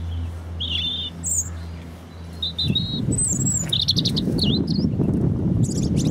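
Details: In Hope Park, Keswick, Cumbria, a European robin delivers short, high, sweet twittering phrases that jump between pitches, growing busier in the second half while a low hum and then a broad rumble run underneath.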